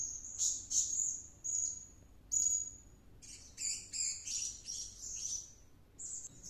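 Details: Blue-crowned hanging parrot (serindit) singing vigorously in the gacor manner after returning from luring: very high, thin squeaky whistles in short bursts, some stretched into sustained shrill notes, with quiet pauses between.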